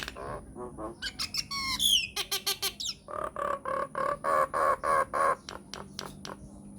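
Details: Myna singing on a lure track to provoke answering mynas: squawks and a rising sliding whistle, sharp clicks, then a steady train of hoarse, throaty notes roughly every third of a second, ending in dry ticks.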